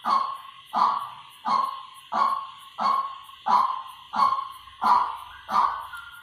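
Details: Decoy calling of a white-breasted waterhen: nine strong, croaking notes delivered at a very even pace, each one sliding downward and fading, with a faint low hum underneath.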